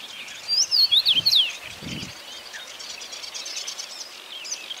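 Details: Common rosefinch song: one brief phrase of about five clear, slurred whistles, rising and falling, lasting under a second, followed by faint distant chirps of other birds over a soft outdoor hiss.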